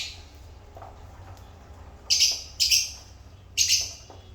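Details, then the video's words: Three short, shrill, high-pitched chirp bursts from African lovebirds in the last half, after a quiet start with only a low steady hum. "African Love Birds Satisfying Sound Effect"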